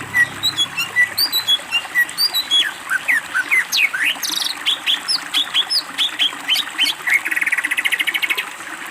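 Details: Greater green leafbird master song for training other birds: a rapid, varied run of high sweet whistles and slurred chirps, building into dense bursts of rising notes and ending in a fast, buzzy rattle.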